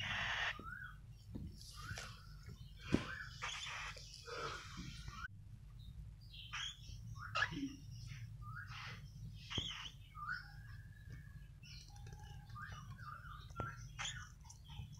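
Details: Hand-fed cockatiel chicks at feeding time give harsh, raspy begging calls in quick, uneven bursts.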